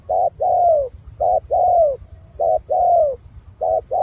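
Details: Spotted dove from Cà Mau, Vietnam, a kept cooing bird with dark purple legs and a well-formed coo pattern: a short clipped coo followed by a long, drawn-out falling coo, the pair repeated about every 1.2 seconds, three times, over a low background hum.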